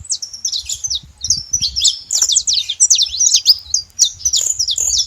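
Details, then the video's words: Free wild saffron finch producing a long series of high, crisp, quickly repeated chirps and slurs, steady and loud throughout. "canário da terra livre na natureza"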